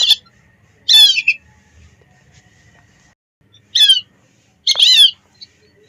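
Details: Lesser whistling duck calls from a lure recording of hundreds of birds: three separate loud bursts of clear, squeaky, descending whistled notes with quiet gaps between them.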